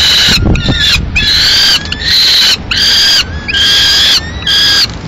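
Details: Drawn-out rasping cries of peregrine falcons at a Madrid nest, 15 May 2016, after the male brings in a live swift for the female to finish off; about five calls, each half a second or longer.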